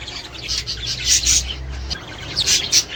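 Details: Australian budgerigars calling to encourage breeding and egg laying: irregular sharp high chirps and squeaks in small groups, louder around the middle and near the end, over a faint low drone.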